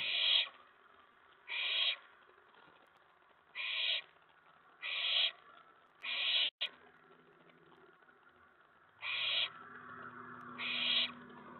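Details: Night of May 19 2017: an excited owlet inside a nest box as owls arrive at the tray; seven brief, rasping hiss bursts at uneven intervals of one to two seconds, with a faint low hum later.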